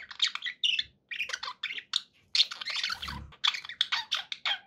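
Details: Pet budgies give a loud, crowded chatter of harsh squawks and chirpy warbles in quick succession, with a low thud partway through.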